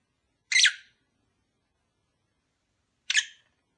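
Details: Kept lovebird sounds aimed at getting a pair to mate sooner: two short, raspy, high shrieks about two and a half seconds apart, softly recorded with nothing else audible.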